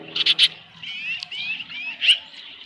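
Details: At a ranch osprey nest on a July 2018 evening with a headless fish delivered, three quick sharp chirps are followed by drawn-out rising whistles and a final bright note, over a faint low hum.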